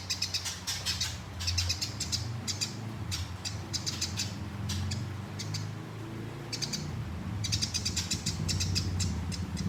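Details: Sparrow in fighting mode, used as a competition tutor recording with a rolling delivery: clusters of sharp, high chirps come in quick bursts with short pauses between them, over a steady low rumble throughout.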